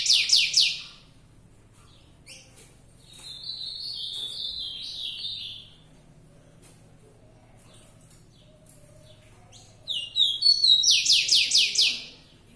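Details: Rufous-collared sparrow giving the fibrado style of song: a loud opening trill of quick strokes, then a wavering high whistled phrase, a quiet pause, and a second, longer, louder buzzy trill near the end.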